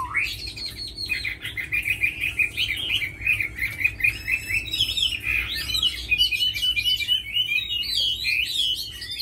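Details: Tamed fighting Chinese hwamei opening with a sharp upward-swept whistle, then launching into a long, continuous warbled song of fluid whistles and rapid trilled notes that grows fuller and more varied toward the end.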